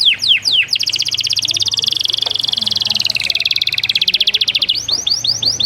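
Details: Canary singing a few quick rising slurs, then a long fast even trill of high notes lasting several seconds, ending in repeated upward-swept whistles; a low steady hum underneath.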